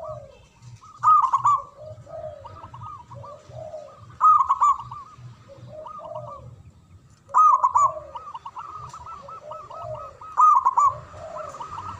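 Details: Local zebra dove with a big voice singing manggung: loud rolling bursts recur about every three seconds between runs of hooked looping notes and lower slurred phrases, with rhythmic low coos throughout.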